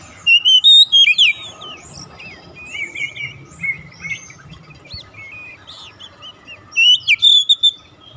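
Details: Oriental magpie-robin singing as a lure for a silent bird. Bright whistled phrases open the recording, then come softer twittering notes over a faint steady hum. A loud whistled run returns near the close.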